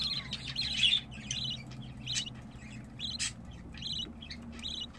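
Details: Captive budgerigar chicks begging for food, crying while their caged parents feed them, give short, raspy, high chirps in quick bursts, each a fraction of a second long, over a low background hum.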